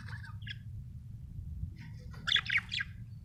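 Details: Happy budgerigar chirping: soft warbled notes, then a burst of louder scratchy chirps near the end, over a steady low hum.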